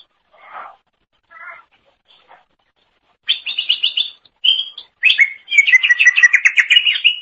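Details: Greater green leafbird (cucak ijo) singing to tutor songbirds: a few faint low chirps, then loud high trilled phrases and a long fast series of repeated buzzy whistles.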